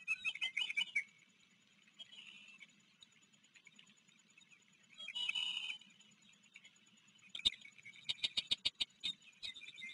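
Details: Ospreys at a river nest in Maryland on an July 2022 afternoon, where a recently fledged chick from a neighbouring nest joined two resident chicks. Bursts of high, rapid chirping open and close the clip, with sharp clicks and a low steady hum.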